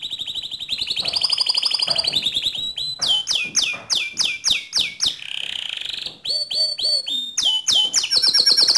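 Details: Canary in gacor song, meant as a training model for other canaries: a rising and falling rolled trill, then a quick series of sharp descending whistles, a soft buzzy passage, and more bright, fast chopped phrases.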